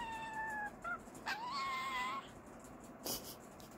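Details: Jumbo budgerigar whistling its own loose version of the children's tune "Kotori no Uta": a few clear sustained whistled notes, one wavering and slightly rising, then a short gap and a sharp noisy click.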